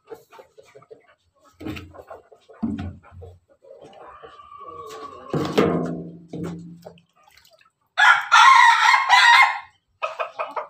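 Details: An Ayam Ketawa rooster gives a loud, rapid, stuttering crow after soft clucks from hens in the morning.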